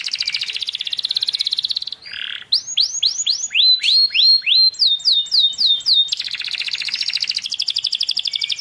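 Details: Canary, young bird, singing as tutor song to prompt a silent canary: a fast buzzing trill, then a low burry note, a series of clear upslurred whistles, descending repeated notes, and another quick rattling trill.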